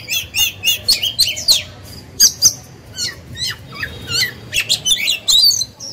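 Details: Caged oriental magpie-robin singing as a lure to stimulate other birds to sing: fast bursts of high chirps, squeaky whistles and short trills in clustered phrases separated by brief pauses, steady throughout.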